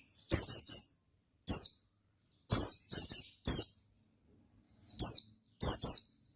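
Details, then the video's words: Oriental white-eye singing in the 'ngalas' style: high, thin, sharply falling chirps, delivered singly or in quick clusters of two or three, with bursts coming about every second and short silent gaps between them. The background is clean and quiet. "Suara Bikin Pleci Gacor Ngalas Dengan Burung Pleci Gacor NGALAS INI"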